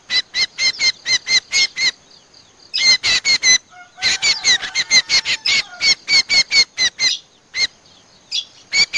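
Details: Common Iora lure call played back by bird trappers to attract the species: bursts of harsh, nasal, evenly spaced chattering notes, about four per second, broken by short pauses, with a faint lower drawn-out whistle partway through.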